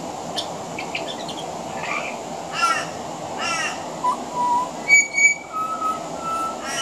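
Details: Pied butcherbird on a veranda, its song laced with mimicry of other Australian birds: soft chips and two harsh buzzy bursts at first, then clear level whistles, including a high pure note and a long lower one.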